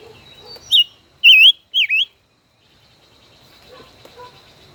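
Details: Five-colored bird, a caged decoy kept more than a year, in a song duel: short high note followed by two loud wavering whistled phrases, then quiet with faint chirps.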